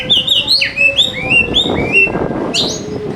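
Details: Oriental magpie-robin song, described as a lively fighter-type bird, played as a lure to get lazy birds singing. A fast run of clear whistled notes, some slurring sharply downward, then a brighter high burst near the end, over a steady low hum.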